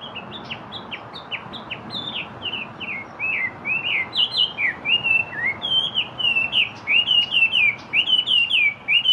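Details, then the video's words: Yellow-breasted chat opening with choppy, separate downslurred whistles that quicken into a loud, continuous rolling warble of looping notes, about two per second in the loud stretch. "El Charlatán Canoro"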